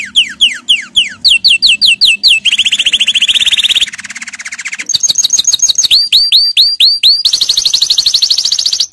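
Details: Canary song for teaching young birds: varied tours of swooping rising whistles, rapid buzzy trills, a lower rattling section and repeated upward-curving notes, continuous throughout with a soft low hum beneath.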